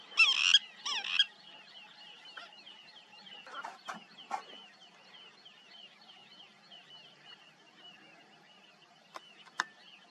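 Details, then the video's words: An Indian river tern gives two loud, harsh, grating calls, then a faint run of quick wavering chirps and a few sharp clicks. "River tern calling"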